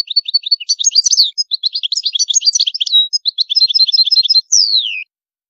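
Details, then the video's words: Continuous European goldfinch song described as high maqamat, a fast chattering stream of bright, metallic twitters and trills lasting five seconds, closing with a clear downward-gliding whistled note. "تغريد الحسون جميل دو مقامات عالية"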